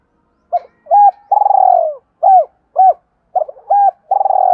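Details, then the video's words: Spotted dove call played to rouse decoy birds: repeated phrases of short arched coos around long, rapidly pulsing, down-sliding coos, clear and close. "Tiếng cu gáy kích bổi rất hiệu quả"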